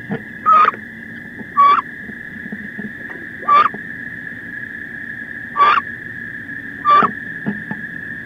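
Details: Female wood ducks battling inside a nest box, 16 May: five brief rising squeals spaced irregularly about one to two seconds apart over a constant humming tone.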